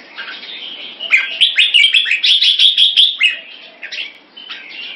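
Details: Competition red-whiskered bulbul in a cage, displaying with a run of quick chirped, whistled notes, about three per second, rising to a high, sharp burst midway, then softer warbling phrases.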